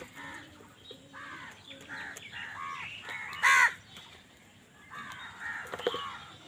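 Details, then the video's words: Crows fighting for food: a run of soft, hoarse caws repeated about twice a second, broken by one loud harsh caw near the middle, then faint scattered calls over a noisy background. "কাকের ডাক Crow Sound Crow ki Awaz Loudly | Crow bird Fight for Food"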